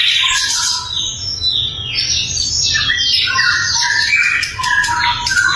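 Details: Sikatan londo flycatcher in a loud, clear training recording for songbirds. It delivers a rich, varied song of sweeping whistles and trills that slide down and then climb again, with dense overlapping phrases throughout.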